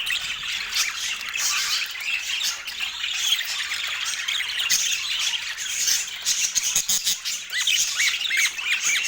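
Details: Pet parakeet during morning feeding time in autumn; continuous chattering warble with short up-and-down whistled notes, growing busier near the end, with occasional faint clicks.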